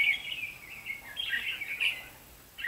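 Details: Red-whiskered bulbul singing as a decoy during bird trapping on 23 October 2016: a continuous run of bubbly, warbling whistles with quick slurred notes, dropping away near the end before a final short note.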